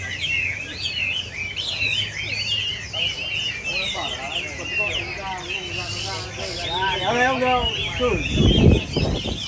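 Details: Chinese hwameis singing in a group: quick, looping whistled phrases that slur up and down, overlapping. Lower warbling notes come in midway, then a burst of rustling noise near the end.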